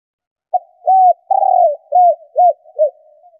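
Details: A female spotted dove, used to stimulate males to coo, gives a quick series of about six soft, mid-pitched, slightly falling coos over roughly three seconds.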